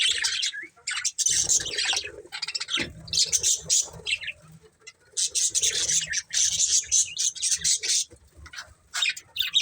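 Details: Budgies of one family chatter continuously with scratchy chirps and buzzy warbles, over low rustling and faint thuds.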